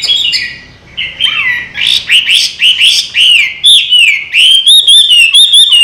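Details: A trained, caged Chinese hwamei (Garrulax canorus) that flies back into its cage after release sings loud, varied phrases of clear whistles and slurred notes, rising and falling in rapid succession, about two a second.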